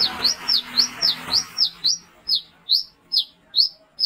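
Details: Brown-throated sunbird used as a nighttime lure, calling to draw in others. Quick, shrill chirps come fast over a rough rustling noise for two seconds, then ring out clean and slower, roughly one every 0.4 seconds.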